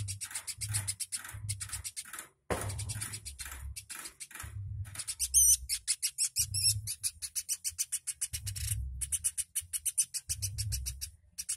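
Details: Woodpecker described as a very active caller, kept as a tutor for training songbirds; rapid trains of sharp, high, clicking notes in bursts, some with brief squeaky twitters, over a low rhythmic thumping throughout.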